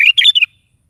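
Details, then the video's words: Morning song of a sooty-headed bulbul, used to lure a caged bulbul into replying: a single rapid, chattering burst of three linked warbled notes lasting under half a second, in silence. "SUARA BURUNG KUTILANG GACOR DI PAGI HARI"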